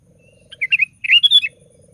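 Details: A sooty-headed bulbul gives two quick liquid, chattering phrases, each a few bubbly notes. The song is used to set other bulbuls singing. A faint low purring pulse sounds before and after.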